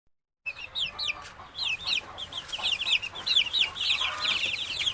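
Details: Chicks peeping in a henhouse: rapid high, arched peeps repeated about once a second, often overlapping from several birds, over a faint low hum.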